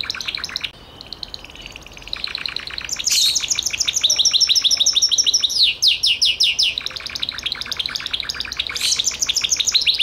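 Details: Gloster canary singing continuous varied tours: dense fast trills at different pitches, a stretch of loud downward-sweeping notes, then more rapid rolling phrases.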